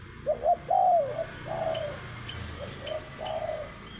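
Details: Spotted dove calling: a few soft, low cooing notes, the first two rising and falling in quick succession, then longer level coos with pauses between, over a faint background hiss and distant chirps.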